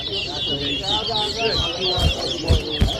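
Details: During an Arrival Day whistling contest in Diamond, Guyana, 2023, a chestnut-bellied seed finch gives quick, high, sliding whistled phrases in a steady stream. A voice counts aloud and thumps are heard near the end.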